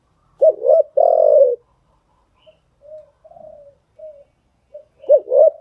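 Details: Spotted dove lure call for newly caught birds: a stuttered double note and loud hoarse coo, quiet scattered soft coos in between, ending with another stuttered pair.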